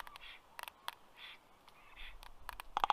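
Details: Common raven visiting a Black Stork nest tree in Karula National Park, southern Estonia, at 4:33 pm on 27 May 2023, upsetting the stork: sharp, dry clicks, single and in bursts, ending in a hollow knock, with breathy rustling.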